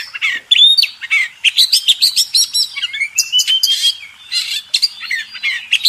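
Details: Oriental magpie-robin known as kacer, singing contest master song: dense, chattering warble with buzzy notes and a long, smoothly rising whistle running through the middle.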